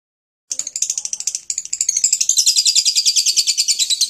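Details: Lovebird chatter, the 'ngekek' style played to make lovebirds chatter: after a half-second of silence, a rapid, regular run of high, sharp, buzzy notes, about three per second, growing louder and denser toward the end.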